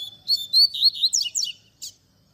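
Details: Double-collared seedeater singing a Tui Tui Zel Zel style song used to teach young birds: clear whistled notes around a steady pitch, then quick descending slurred phrases and a final buzzy note, with a soft low hum beneath.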